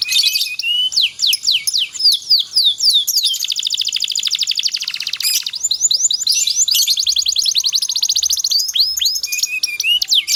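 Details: Canary singing long continuous song used to train other canaries, opening with repeated falling whistled notes, then a long fast rattling trill, more slurred falling notes, and a final rapid trill.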